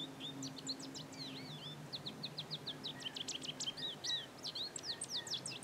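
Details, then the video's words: Male goldfinch in breeding plumage singing sweetly: a rapid, continuous twitter of thin high chirps and slurred notes, some rising and falling, over a faint low hum. "Goldfinch Singing"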